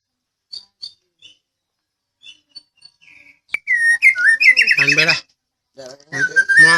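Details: Medan-type white-rumped shama singing a training song meant to draw answers from other birds. A few faint soft chips come first, then loud rich phrases of swooping whistles and harsh rattles, with a brief pause before another phrase.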